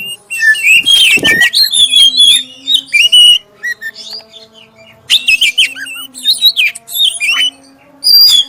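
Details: Oriental magpie-robin of the black-breasted form singing a clear lure song to set off other magpie-robins: a harsh burst, then rich warbled whistles and chattering notes in two main phrases, with a soft steady hum.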